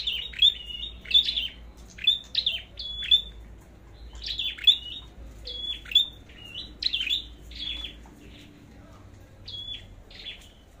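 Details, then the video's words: Fighting song from a red-headed flowerpecker, being tested before going to the forest: many sharp, high, downswept chips with thin level whistles, coming in quick clusters and thinning out toward the end over low background rumble. "Chim Sâu Đầu Đỏ Hót Đấu"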